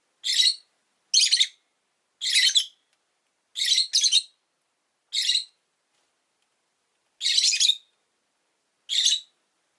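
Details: Rosy-faced lovebirds, five kept in a cage beside a window, calling with short, harsh, high-pitched chirps spaced about a second apart, some doubled, eight bursts in ten seconds with quiet gaps between.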